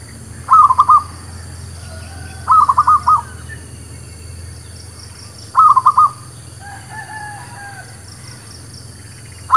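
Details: ['Lure song of the local zebra dove, called merbuk or perkutut, for trapping: three short trilled coo phrases about two to three seconds apart, another beginning at the end, plus faint whistles of other birds.']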